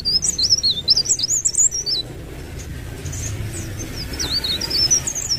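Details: Leaf warbler, known locally as blerengan or cikrak daun, in rolling 'gacor ngerol' song: rapid, looping, very high whistled trills in an opening burst, quieter phrases later, over noticeable broadband background noise.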